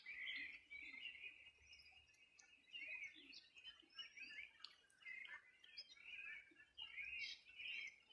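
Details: Birds singing beside the Rio Bueno, Los Ríos Region, summer morning 2020. Repeated bursts of bright warbling chirps come roughly every second, rising and falling, from several overlapping singers in a quiet setting.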